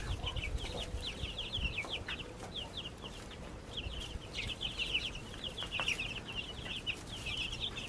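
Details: Young backyard chickens chirping, bursts of quick shrill peeps from several chicks overlapping, with a few brief gaps, light tapping and a faint hum.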